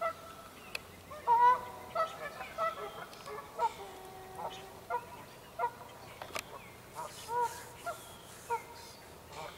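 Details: Several Canada geese honk at a mad mute swan, giving short nasal honks in bursts, loudest near the start, then spaced every half second to a second, with a sharp knock and faint hiss between calls.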